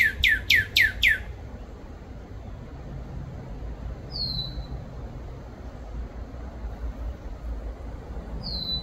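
A cardinal gives four quick, sharply down-slurred whistles, then two lone high notes several seconds apart. A low rumble runs underneath.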